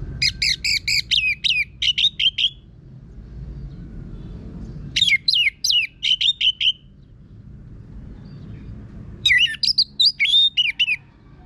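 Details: Kept orange-headed thrush in full, persistent song with a rough, harsh voice, used as a lure to get other birds singing: three quick, scratchy phrases of chirped and slurred notes, repeated about every four seconds over low hum.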